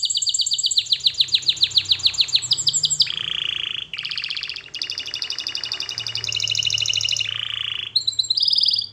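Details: Canary singing melodies for song training: a long series of rapid descending chips, then deep buzzy rolls alternating with bright high trills, sections changing every second or two over faint hum.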